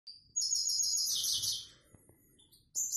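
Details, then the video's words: Himalayan (grey-headed) goldfinch, plain "prostyak" song type: a bright, fast, high twittering phrase of liquid notes and buzzy trills, pausing briefly before another burst begins. "Седоголовый щегол ,простяк"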